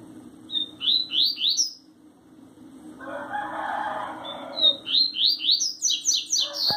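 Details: A double-collared seedeater from Sergipe sings its "tui tui zel zel" song: bright, quickly repeated upslurred whistles, about three a second, in two phrases, with a soft hiss of noise between them.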